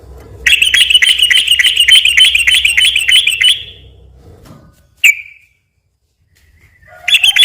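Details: Sooty-headed bulbul lure song in the 'ropel' style: a rapid, even, high-pitched trill lasting about three seconds, then a single sharp note after a pause, and the trill starting again.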